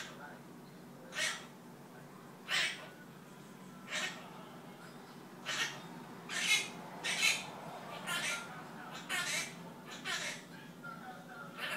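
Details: Pet Quaker (monk) parakeet talking nonsense indoors: a string of short, harsh, chattering voice-like bursts, each about a fraction of a second long, spaced roughly one second apart, with faint room hum behind.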